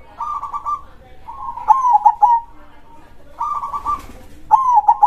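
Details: Loud krosing song of a local zebra dove: repeated cooing phrases alternate between an even run of rapid pulsed notes and accented stuttering coos, with short gaps between phrases.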